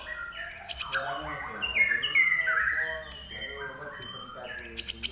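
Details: Energetic Common iora song: quick whistled slurs and short rising notes interspersed with bursts of sharp high clicks, loudest at the start and end.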